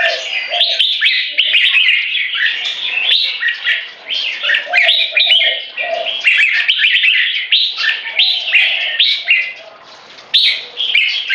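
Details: Two rival Red-whiskered Bulbuls, aged 3.5 and 7, sing in butir style with gaya display to dominate territory. Long run of overlapping chirpy whistles and warbles, briefly quieting near ten seconds before another burst.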